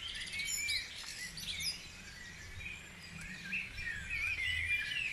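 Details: Mixed birds in a dawn chorus at Guisborough: many overlapping high whistles, trills and quick chirping phrases, several singers at once, over faint low background hum.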